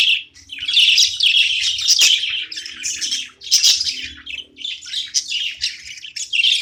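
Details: Pet budgerigar chattering as it plays, long runs of fast, grating warble and chirps with a couple of brief silences between bouts.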